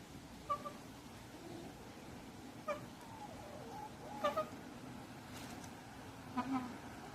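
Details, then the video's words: A white Indian peafowl at a natural history museum in Deokso gives four soft, short whisper-like mewing notes, some doubled, about two seconds apart over a low steady hum. "백공작의 소곤대는 듯한 소리"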